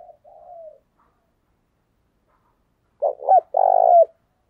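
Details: Spotted dove cooing in the fast thúc bổi manner, used as a decoy for wild doves. A soft gliding coo comes first; after a silence, loud stuttering coos run into a long low note.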